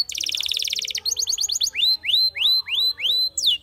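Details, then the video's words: Spanish Timbrado canary singing a fast pulsed trill, then quick double notes, then slower loud rising whistled sweeps about every half second. "Spectacular Spanish Timbrado Canary, This Canary Invites All Birds to Sing"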